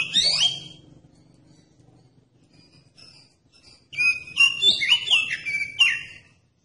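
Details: Oriental magpie-robin song used to draw other magpie-robins into singing: a sharp burst of buzzy whistles opens, a near-silent pause follows, then a rich run of varied whistled and chattering notes from about the fourth second.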